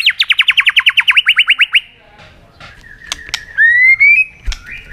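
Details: White-rumped shama in competitive song: a rapid series of about fifteen even, sharply falling notes, a pause with clicks, then a long, smoothly rising whistle.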